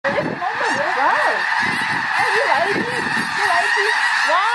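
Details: A huge flock of migrating snow geese, some ten thousand birds, in autumn at Reifel Bird Sanctuary, Vancouver, Canada, keeps up a dense, overlapping chorus of nasal, barking honks with no pause.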